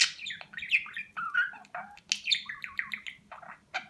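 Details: Talking pet budgerigar recorded in Rize, Turkey, in 2020, taught the words "Babacık" and "Aşkım"; lively run of warbled, gliding chirps and scratchy speech-like notes in quick succession.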